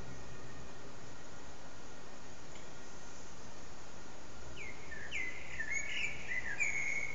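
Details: A Common blackbird perched on an antenna, singing for almost three hours with short breaks, gives a fluty, warbling phrase that rises out of steady low rumbling in the last seconds, mellow notes giving way to a brief twittering ending.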